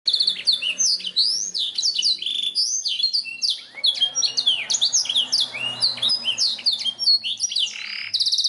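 A black-throated canary sings a fast, continuous, high-pitched warble of sweet trills and rising chirps, with no pauses.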